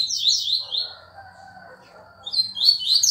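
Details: Lined seedeater in fast tuituí song: quick high zigzag notes open the clip, a pause with a faint mid-pitched noisy sound follows, then the bright rapid phrases resume and end loudly.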